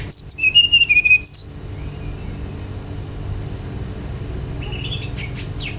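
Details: Brown-chested jungle flycatcher song played to prompt other birds to sing: one quick phrase of piercing whistles sliding downward and ending in a sharp upsweep, followed by quiet hiss and a faint distant whistle near the end.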